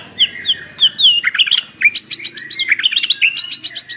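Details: Morning white-rumped shama song stuffed with mimicry, used as a lure so a caged bird answers. Bright whistled slurs open it, then dense rapid high chips and twittering phrases follow without pause.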